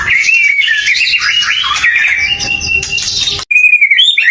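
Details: White-rumped shama in full song, used as a lure to provoke other shamas into answering: a long run of bright, wavering whistles around a steady high pitch, a brief break, then a clear whistled phrase resuming.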